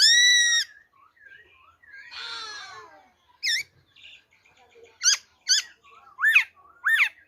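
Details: Black-throated laughingthrush in wild-type song, recorded 26 December 2020: a long, rich harmonic whistle, a harsh rasping passage, then several sharp, well-spaced, downslurred notes.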